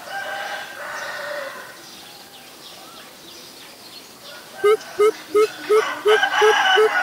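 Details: Greater Coucal (Centropus sinensis) in Ubon Ratchathani, Thailand, on April 21, 2022, gives a quick run of about seven deep, hollow "boop" hoots, evenly spaced, after a drawn-out crowing fowl and other bird chatter.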